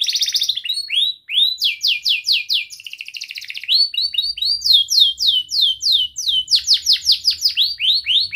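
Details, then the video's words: Young canary singing, played to train other canaries: continuous phrases of rapidly repeated swept chirps and rolling trills, changing pitch from phrase to phrase with barely any pause. "Kenari Gacor Muda Rol Rapat Cuit cuit ngeroL"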